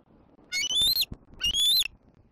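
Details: A juvenile bald eagle squeeing at its mother from the nest area in Southwest Florida on an April afternoon: two long, high whistles that climb steadily in pitch before dropping sharply at the end.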